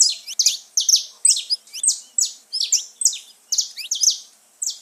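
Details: Saffron finch song meant to rouse pet birds: loud, bright chirps with quick downward sweeps repeated in a fast, even rhythm, around two or three each second.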